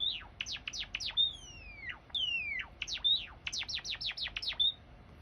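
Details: Java sparrow song for encouraging a silent bird to sing: series of sharp descending chirps broken by two long falling whistles, ending in a brisk rattle of chips and a short level note.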